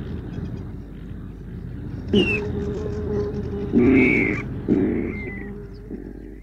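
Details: Water rail, a marsh bird living among reeds, giving three harsh, pig-like squeals, each under a second, the later ones sliding slightly downward, over a steady background hiss.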